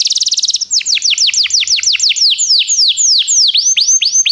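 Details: Belgian canary song meant to get other canaries singing: a rapid buzzy trill, then a long run of high, clear descending whistled sweeps repeated about twice a second.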